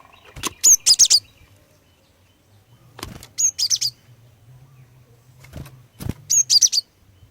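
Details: Female cinereous tit song used to prompt males to sing: three short clusters of high, sharp chirps spaced about three seconds apart, each preceded by a knock or tap, over a faint low hum.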